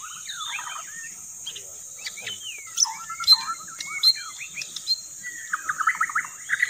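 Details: White-rumped shama song used as a lure: varied whistled, trilled and chattering phrases with quick slurred notes, ending in a rapid run of repeated sharp notes, over a constant high, thin whine in the background.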